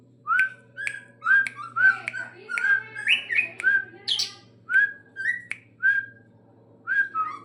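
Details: Caged Bornean green leafbird being trained: a steady series of short, slurred whistled notes about twice a second, with higher, chirpy, twittering phrases in the middle and a constant low hum behind.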